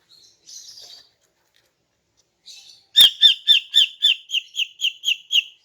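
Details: Female greater green leafbird singing in the morning to lure males. Two faint, high buzzy notes come first, then a sudden loud run of about ten harsh, chattering notes at roughly four per second, each with a metallic ring.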